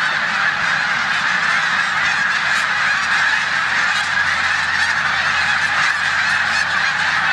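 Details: Snow geese on their final days of rest in a Savannah, New York corn field, 14 March 2020, among resident Canada geese; dense, even honking from a large flock fills the recording throughout.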